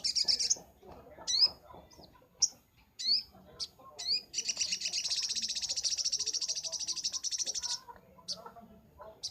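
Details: Sunbird master recording for training songbirds: scattered high sharp upslurred chips, then a long rapid buzzy trill lasting over three seconds, followed by a few more chips against faint background noise.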